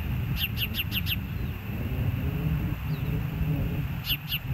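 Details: Ospreys at a nest at Hellgate, filmed by a live nest camera on 06/04/2024 at 13:10: a rapid series of five sharp, falling whistled chirps, a pause, then two more, over steady low rumbling wind noise.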